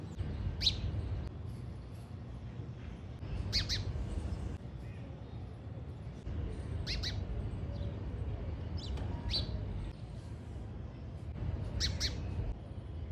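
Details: House sparrow, subspecies Passer domesticus indicus, known locally as gauraiya: short sharp chirps, singly and in pairs, scattered irregularly through the recording over a steady low rumble of background noise.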